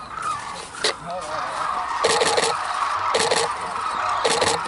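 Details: Hooded and White-naped cranes call at Arasaki Crane Center, Kyushu, Japan, in snow. Trumpeting calls run continuously beneath loud bursts of rapid clattering, with a few faint lower notes.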